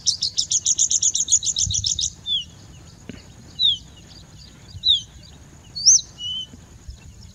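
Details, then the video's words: A bushlark song opens with a quick burst of about fifteen rapid chirps, then spaced, slurred whistled notes every second or so, with a continuous faint high hiss behind. "Singing Bushlark"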